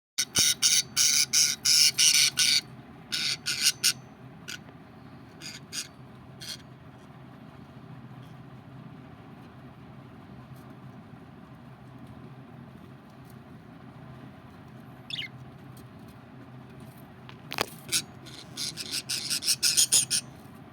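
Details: Budgerigars in Delhi give bursts of harsh, high, scratchy chatter, separated by quiet stretches over a low hum.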